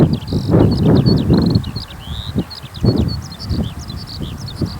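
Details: Eurasian skylark singing on the ground in a farm field after finishing its song flight: a fast, unbroken stream of high chirps, buzzes and short trills, over heavy low rumbling noise.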